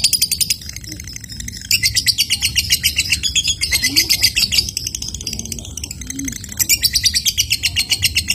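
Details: Lovebird ngekek, meant to prompt other lovebirds to chatter along: bursts of fast, high, rattling trill lasting one to two seconds each, separated by short gaps, with soft background murmur.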